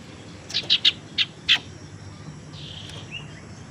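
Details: Tailorbird lure sound, used to entice and stimulate singing: five short, sharp high chirps in a quick irregular burst near the start, then a faint thin whistle, over a low steady background hum.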